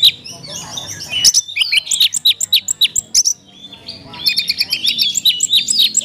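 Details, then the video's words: Oriental magpie-robin in rich, elaborate song: rapid high whistles, sharp chips and trilled runs, a short pause midway, then a fresh burst of quick varied notes. "kacer isian mewah"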